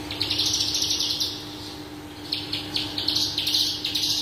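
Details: Parva Horsfield's bush lark in lively, constant song rich in varied phrases; fast sequences of sharp high chirps in uneven bursts with a brief gap near the middle, a faint steady hum beneath.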